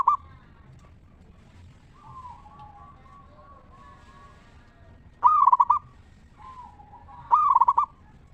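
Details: Local zebra dove singing 'ngeristal', a song for luring other zebra doves to sing. Soft drawn-out coos lead into two loud, bubbling, stuttered coo phrases about two seconds apart near the end.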